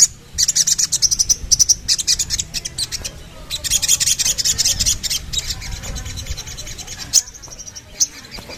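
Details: Sooty-headed bulbul delivering dense, rapid high chatter in long runs that fade toward the end, over a low background murmur.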